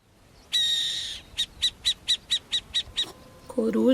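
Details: Barn owl (Tyto alba) screech call: one long, harsh hissing screech, then eight short raspy hisses at about four per second; a man's voice starts speaking at the end.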